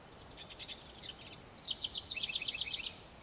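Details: House wren pouring out a quick, effervescent song: scratchy high chatter at the start, then a rolling sequence of sharp repeated notes stepping downward in pitch before stopping abruptly.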